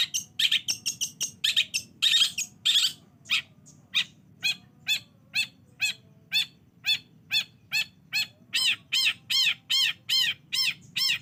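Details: Long-tailed shrike lure recording for provoking a reluctant bird to sing: a burst of harsh, buzzy notes, then sharp repeated chip-like calls about twice a second, each with a bright arched tone, a steady series of over twenty notes.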